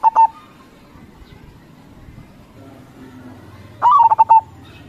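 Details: Crossing-style song of a lively local zebra dove: the tail of one cooing phrase at the start, then a low hum, then a full phrase with a rising first note followed by several rapid staccato coos.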